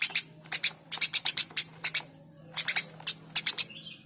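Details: Eurasian tree sparrow song made of crisp, repeated chirps, mostly in pairs and short runs, a short break mid-sequence, then more paired chirps and a brief lower note.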